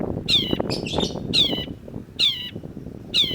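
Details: Long-tailed shrike, recorded as a training track for songbirds: strident nasal rasps falling in pitch, repeated about every second, with some rougher chatter between them and a steady low background noise.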